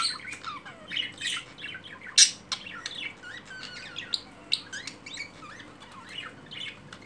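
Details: A pair of pet budgerigars mating and then courting give a busy, scratchy warble of chirps, squawks and quick rising notes, with one sharp loud squawk partway through.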